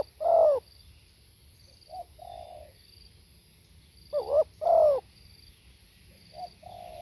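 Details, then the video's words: Spotted dove cooing live: a long falling coo, a soft two-note tail, then a quick wavering note and a louder descending coo, ending with faint low trailing notes. "เสียงนกเขาใหญ่ สด | suara tekukur"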